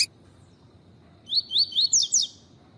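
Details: Tui tui song of a double-collared seedeater, meant to warm up and train other seedeaters: a quick phrase of five bright upward-sweeping whistled notes over a low background hum.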